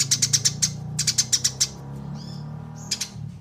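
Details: Eurasian tree sparrow chirping in a clean training recording meant for songbirds: two quick runs of shrill, evenly spaced cheeps, a brief thin whistled note, then a final pair of chirps over faint low hum.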